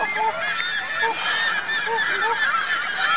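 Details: At Virginia Lake in Reno on 2 May 2013, geese with goslings make a loud, dense wash of high peeping, with several short, lower arched calls repeated through the chorus.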